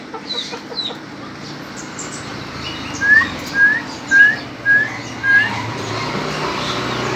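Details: Young Ayam Ketawa chicken giving a series of five clear, rising whistled peeps, regularly spaced about half a second apart, after a quieter stretch of faint chirping over a steady low background hum.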